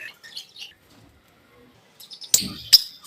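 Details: A pair of green Fischer's lovebirds chirping in a duet: a few soft, high twittering notes early on, a quiet gap, then two sharp, loud, harsh bursts close together near the end.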